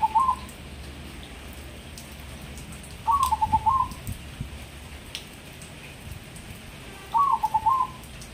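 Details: Hybrid zebra dove (perkutut) in Semarang, Indonesia, tame and singing around the clock: three similar stuttering coo phrases, each about a second long, repeated roughly every four seconds, over a faint rumble and occasional ticks.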